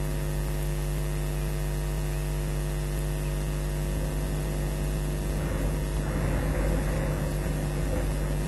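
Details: Steady electrical mains hum with layered low tones and light static throughout, with no animal voice present.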